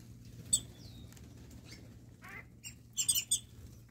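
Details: A morning flock of wattled starlings in a Namibian garden. Sharp, high squeaky notes and a rising squawk are followed by a quick cluster of bright chirps, with a possible soft flutter in between.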